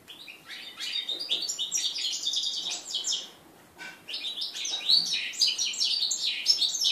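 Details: Mule cross of red-breasted flycatcher and canary from 2013, heard in its first song since moulting, 11 January 2014; two long bursts of rapid high twittering and trilled notes separated by a brief pause.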